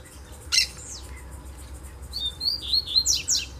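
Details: A Double-collared seedeater singing far off in bamboo: one sharp chip, a downslurred note, a pause, then a rapid series of high warbled and slurred notes.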